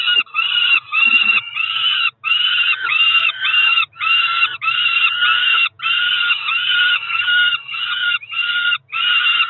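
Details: Two roughly four-week-old Peregrine falcon chicks at a Cromer nest, filmed by nest cam on 2 June 2023, calling for breakfast: loud, harsh wailing screams in long runs, broken by brief pauses every second or two.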